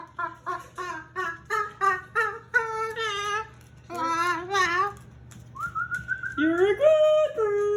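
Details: Talkative pet male Moluccan cockatoo before bed, June 2020: a rapid run of short nasal chirping calls, then wavering wails, a long whistled tone and a rising nasal cry.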